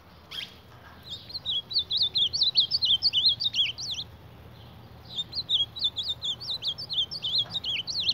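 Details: Ultramarine grosbeak (reina mora) fighting its own reflection in a mirror: two runs of rapid, wavering high whistled notes, roughly two to three per second, separated by a brief pause; faint sharp clicks.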